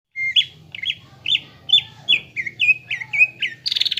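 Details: Greater green leafbird lure song, played so caged birds grow agitated and develop a fighting mentality: a run of eight loud whistled notes, each a sharp upward flick then a level tone, about every half second, ending in a rapid buzzy rattle.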